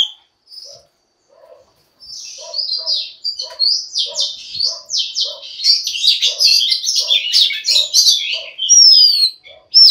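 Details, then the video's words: Oriental magpie-robin, a female, sings to get males singing: high, jumbled whistles and chirps grow denser and louder, while a lower, soft note repeats about once a second beneath them. "Choè than mái kích trống hay nhất"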